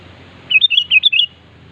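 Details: One lively sooty-headed bulbul phrase calling a rival: a rapid run of six bright, slurred whistled notes over a low background hum.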